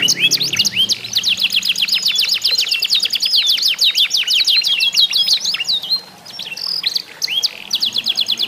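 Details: Contest singing of canaries (kenari isian), meant to encourage other canaries to sing; fast high rolling trills and sharp repeated chirps about two per second, brief dip near the middle, then bright whistled rising notes.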